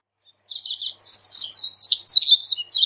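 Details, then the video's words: A corbatita (Double-collared Seedeater) delivers a loud, continuous song of rapid high chirps, slurred whistles and buzzy twitters, running unbroken for over two seconds after a brief silence. "CORBATITA CANTANDO - MEDIA HORA DE CANTO DE CORBATITA"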